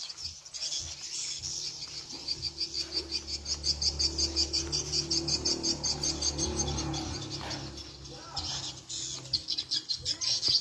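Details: Edible-nest swiftlet lure sound of the Tripel Queen type, played to draw swiftlets: dense, rapid high chirps pulsing about three times per second, with a low steady hum underneath.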